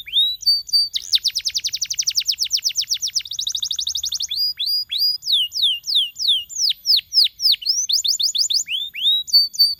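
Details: Long canary song: fast even trills of repeated sweeps for several seconds, then slower, clear downward-curving whistles and short rolled phrases.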